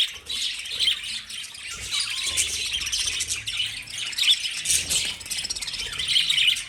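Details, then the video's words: Pet lovebirds keep up an unbroken, high, scratchy twittering with sharper squeaky peaks now and then and a faint low murmur in the background. "Love Birds Sound Relaxation"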